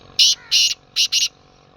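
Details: Black francolin call: four harsh, rasping, hissy bursts in two pairs, the first pair longer and spaced, the second short and close together, over quiet background.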